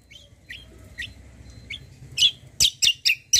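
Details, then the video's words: White-eye (kecial kombo) lure for prompting other birds to answer: soft, thin, high notes about every half second, building into a run of loud, sharp, rapid chirps. "KECIAL KOMBO BAHAN LANGSUNG NYAUT || PANCINGAN CUCAK KOMBO"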